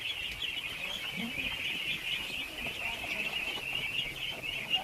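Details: Thousands of ducklings being fed, a dense continuous chorus of high peeping calls merging into a steady shrill band with no pauses.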